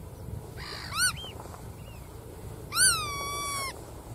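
Black-tailed godwit giving two nasal, reedy calls: a short rising-falling note, then a longer drawn-out, slightly sliding one, over a low background rumble.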